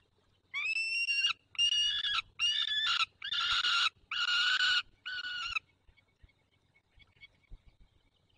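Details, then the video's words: White stork calling to an adopted youngster at a nest with one own and three adopted chicks, Barycz Valley, Poland, 9 June 2020, late morning. Six rasping, nasal bursts in quick succession, growing louder, then silence. "woła adoptowanego młodego"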